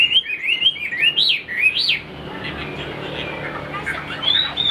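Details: Caged Chinese hwamei kept as an ornamental songbird in Vietnam, praised for fast delivery and a fine voice, giving quick looping whistled notes that rise and fall for two seconds, then fading into softer background noise with a brief high phrase near the end.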